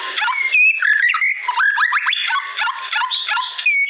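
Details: Murai batu, the white-rumped shama, singing in a masteran training recording: bright whistled notes, a quick series of upward-slurred chips in the middle, and scattered sharp, high accents.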